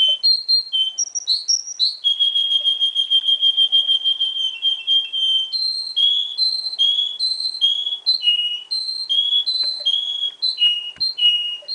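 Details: Juvenile Russian singer canary of a pure line imported from Russia, kept in Miami, Florida, sings a long, bright run of high whistles, holding a steady trilled note for several seconds, then repeating looping whistled phrases; Belgian canary.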